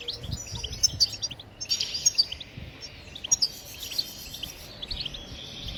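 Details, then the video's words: Goldfinch twittering to stimulate singing in other birds: clusters of high, rapid chirps and jingling buzzes repeat about once a second, set against noticeable low background noise. "بتبتات الحسون لتحفيز الطيور على التغريد بتبتات تجنن الحسون وتجعله يخرج كل التغاريد المخفية"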